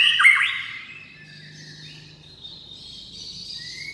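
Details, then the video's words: White-rumped shama giving one loud rich burst of song, then softer thin whistled notes drifting high above a faint low hum. "CHÒE LỬA HÓT KÍCH NỔI NHIỀU DỌNG"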